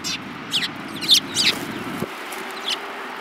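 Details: A few Eurasian tree sparrows, one yellow-beaked, on 7 March 2018, give a short run of harsh, slurred chirps in the first second and a half, then a single fainter chirp.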